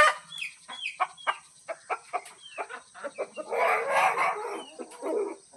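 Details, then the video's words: Village hen while feeding gives a steady series of short clucks, about two per second, broken by a longer, rougher burst of clucking near the middle before the short notes resume. "Village hen #chickensound"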